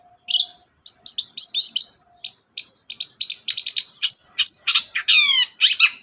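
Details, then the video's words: Long-tailed shrike song played to stir a reluctant bird to sing: dense chattering run of sharp high notes and buzzy rasps, finishing with a descending stacked squawk. "BURUNG CENDET GACOR DOR, pancingan ampuh cendet gak mau bunyi"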